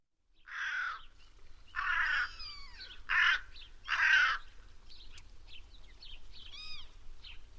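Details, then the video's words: Black crow cawing four times in hoarse, drawn-out notes about a second apart, with fainter chirps from other birds and a low background hum. "The sound of the Black Crow"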